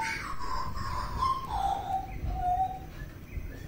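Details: Butcherbird from Papua singing clear whistles that slide downward from a higher note into lower, mellow held tones, followed by short rising notes over a steady low background hum.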